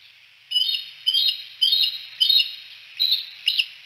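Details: Bald eagles at the Decorah nest at sunset: a series of high, chattering, squeaky calls in about six bursts, each a quick run of thin piping notes roughly every half second, over faint background hiss.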